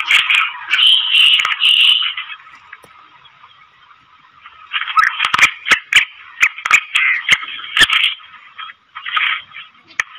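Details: Female black francolin calling, a call said to excite caged males and draw wild francolins into calling: harsh, scratchy grating notes in bursts, a long phrase then a run of rapid repeated rasps, with sharp clicks throughout.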